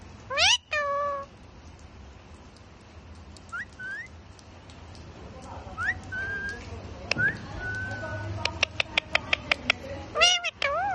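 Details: Talkative parrot on a rainy day: a sharp rising squawk, short upslurred whistles, a run of quick clicks near the end, then a wavering cry, with low rumble of rain or traffic behind.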